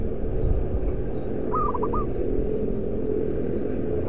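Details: Loud-voiced local zebra dove kept as a decoy bird, singing one cooing phrase: a held note dropping into a rapid run of short clipped notes, against a heavy rumbling outdoor background.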